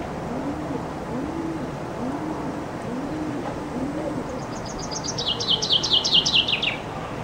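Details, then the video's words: Summer chaffinch singing beneath a window, captured from a loggia on a Canon IXUS 220 HS camera: soft low cooing notes repeat for several seconds before a bright, descending, accelerating trill with a terminal flourish bursts in near the end. "Зяблик поёт под моим окном"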